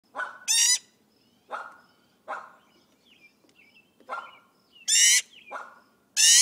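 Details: Tame, very friendly magpie fledgling greeting its owner in the morning and asking for food: loud harsh rasping screeches with bright harmonics, mixed with softer short nasal calls and small chirps between them, roughly one call every second.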